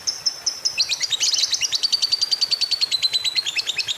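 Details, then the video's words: Lovebird long ngekek trill, played to prompt other lovebirds to sing; a high thin note breaks into a fast, pulsing, chattering trill that continues evenly and shrilly throughout. "PANCINGAN Love Bird Biar CEPET BUNYI! 7 Hari Langsung Ngekek Panjang"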